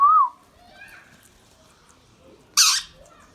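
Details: Pet Indian ringneck parrot giving a short wavering whistle, then after a pause a single loud, harsh, noisy squawk, against faint background hiss.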